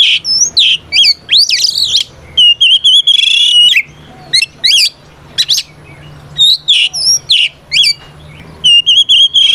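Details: Fighting song of an Oriental magpie-robin, used to call out opponents and goad other birds: rapid bursts of sharp whistles, harsh chattering notes and sweeping slurs, separated by brief silences.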